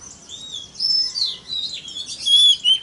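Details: Oriental magpie-robin (kacer) lure recording to provoke others: short passage of long, clear, sliding high whistles overlapping softly, with a few quieter swelling notes.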